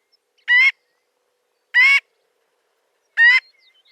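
Marbled godwit giving three loud, nasal, honking calls, each about a quarter second long, spaced roughly a second and a half apart; nothing else is heard.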